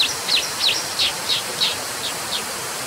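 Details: Brown dipper giving a run of eight sharp, high, downslurred call notes, roughly three per second, gradually fading over a steady background hiss.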